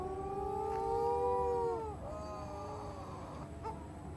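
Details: At night on Matamanoa Island, Fiji, a young storm petrel (Matamanoa bird) hidden in bushes gives a long, smooth, slightly rising wail that drops away sharply, followed by softer fainter moans.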